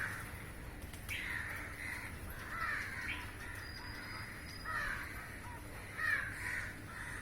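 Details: Flock of crows calling while feeding on flying insects in the air, perched in a row on a roof; harsh caws come at irregular intervals over a steady low background hum.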